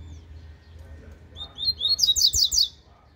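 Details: Double-collared seedeater singing the cicopata serena style: a soft lead note, then a fast string of bright, ringing slurred whistles, about six repeated syllables, over low hum.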